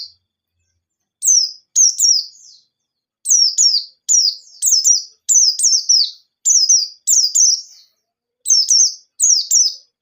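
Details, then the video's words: Lure song of a singing white-eye, ngalas nembak style: evenly spaced bursts of two sharp, high descending notes repeating through ten seconds, each pair bright and clipped, no other sounds present. "Burung Pleci Gacor Ngalas Nembak || Pancingan Penggacor Pleci Bahan"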